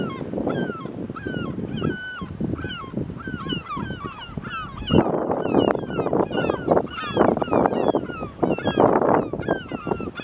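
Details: Herring gull (Larus argentatus), calls: fighting.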